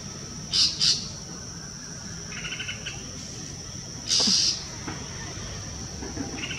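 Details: A golden-fronted leafbird in the Western Ghats at Pawas, India, gives a few sharp, bright chirps, two quick ones then a longer harsh note, with softer mid-pitched notes between, over a steady insect hiss; the species is known to mimic.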